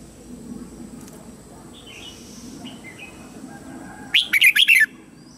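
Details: Lure red-whiskered bulbul singing to draw wild birds in to fight: after a quiet stretch with a few faint distant chirps, one short burst of four or five rich, rapid warbled notes.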